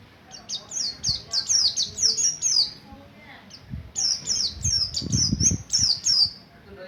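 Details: Ngalas ngerol song practice by a Buxtoni mountain white-eye, meant to lure other white-eyes: two bursts of rapid, high descending chirps separated by a short pause, with low thumping noises beneath.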